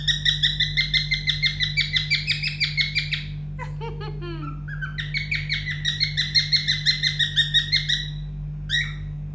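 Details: Indoor pet cockatiel singing its learned song: long warbling whistled phrases, then a quick descending trill and renewed rapid repeated chirps, with a steady low hum underneath.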